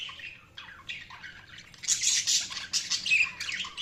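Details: Budgerigars chirping; dense high warbling chatter with scratchy squawks and whistled notes, growing louder after the second second, low steady hum beneath.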